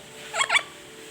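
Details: Black-capped lory, a bird said to be able to talk, making two quick harsh, raspy bursts in close succession, each under a quarter second, right after a person greets it.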